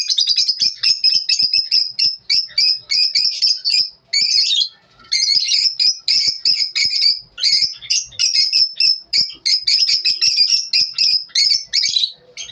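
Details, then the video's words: Lovebirds calling in the morning with long runs of harsh, shrill squawking chirps in rapid bursts, separated by brief pauses of under a second. "lovebirds morning 🌅 natural sound"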